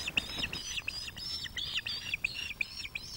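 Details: Osprey pair at a webcam nest at Loch of the Lowes, 2024, where a young male brings fish to female NC0 as she food-begs; quick, thin chirping whistles repeated several times a second, fairly soft.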